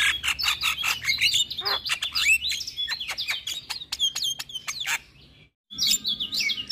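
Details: Recording of Javan myna to stimulate mute or stressed caged mynas: continuous jumbled chirps, squeaks and short whistled slurs, briefly cut off near the end before resuming.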